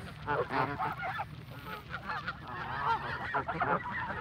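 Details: Canada geese in a flock honk continuously while being fed. Many overlapping nasal, reedy calls layer over one another, with short bent notes and a low hum underneath.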